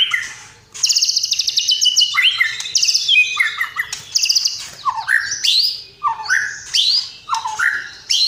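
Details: Caged white-rumped shama singing a loud, varied song: rapid trilled bursts, clear whistled slurs rising and falling, and mimicked phrases, delivered in quick succession with brief pauses.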